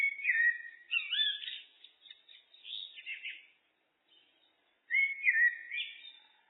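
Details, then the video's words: Common blackbird (Turdus merula) singing in a looped recording: rich, fluting whistled phrases that slide and warble, followed by a pause and another mellow phrase. No other sounds. "Blackbird, Turdus merula, birds (looped), SOUND EFFECT"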